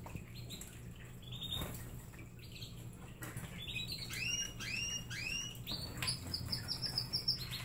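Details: Pet canaries feeding on treats utter scattered arched chirps that quicken near the end into a fast, even trill of high notes, with faint rustling and a low background hum.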